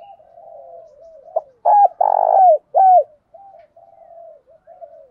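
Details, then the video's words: Lure spotted dove cooing to draw in wild doves: quieter wavering coos lead up to a loud three-part phrase of low hollow coos with a rolled middle note, then softer cooing trails off afterward. "chim cu mồi thúc đấu và gáy gọi kích bổi rất xiêng gáy"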